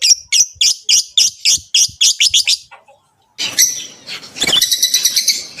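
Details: Rosy-faced and Fischer's lovebirds call to prompt breeding in the female. Quick shrill chirps speed up into a run, stop for a brief silence, then return as a dense, noisy burst of buzzy chattering.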